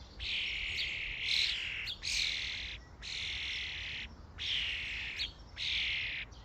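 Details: Harsh, rasping screeches from a starling flock at a feeding station. Five or six loud, steady calls of under a second each come about once a second against a quiet background.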